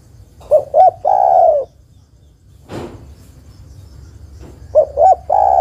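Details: Spotted dove hen calling the male with paired short coos and a long, burry coo. A phrase at the start and another at the end are separated by a brief noisy rustle.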